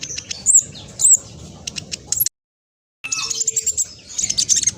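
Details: Spotted black sunbird, described as very vocal with fast song: rapid high, thin chirps and sharp trills, broken by a brief silent gap midway, then more quick twittering notes.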